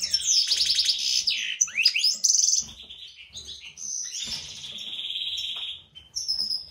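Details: Caged European goldfinch, one of a breeding pair made up of a white-throated mutation male and a classic female; a bright, rapid twitter mixing looped notes, a buzzy trill and long drawn whistles, with short pauses between phrases.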